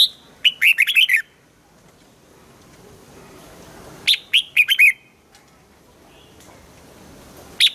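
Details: Red-whiskered bulbul singing a morning training song in the double-note wild style. Quick bubbling phrases of five or six chirpy notes come twice, about four seconds apart, with a brief note closing the clip.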